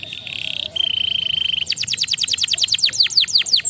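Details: Caged-style canary song: a pulsing high trill followed by a flat, even buzzy roll, then a brisk run of bright downward-slurred whistles, repeated many times.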